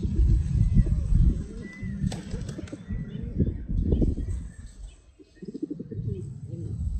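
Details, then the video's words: Pigeons flap their wings in loud clattering bursts, with deep throaty coos between them and a low rumble throughout. "Pigeon Sound"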